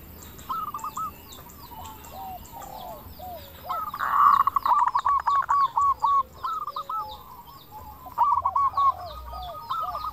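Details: Local zebra dove singing in a clear, crystal voice, used as a lure to make other doves answer quickly and stir their excitement: repeated rolling cooing notes with a fast stuttering trill midway, and thin high chirps from other birds above.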